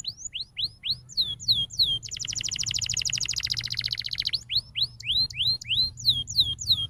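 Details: Canary singing a master song meant to teach young canaries: rapid repeated rising whistled chirps, then a long buzzy rolling trill of about two seconds, then more quick upswept chirps.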